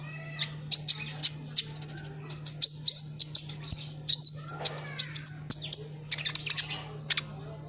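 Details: Lure song of Van Hasselt's sunbird (kolibri ninja), meant to set a silent bird singing: dense, lively string of high chirps, thin whistles and short twittering trills with a few brief pauses, steady electrical hum underneath.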